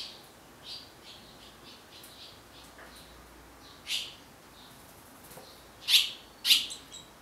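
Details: Barn swallows raising chicks at the nest in Japan, filmed on a DSLR camera; thin high chirps and squeaks come in scattered bursts, with a few louder sharp chirps near the end over quiet background hiss.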